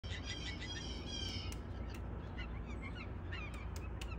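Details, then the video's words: Blue jays, a family of six, calling early in the morning while waiting for thrown peanuts, with crows also waiting nearby: harsh, harmonic-rich calls layered over each other, then scattered short notes, over steady low background rumble. "Bird Song early Morn with my Blue Jays"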